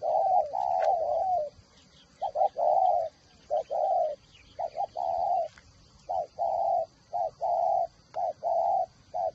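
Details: Spotted dove kept as a decoy bird, cooing in low, hollow, mellow phrases made of grouped notes with irregular pauses, over a steady faint high hum.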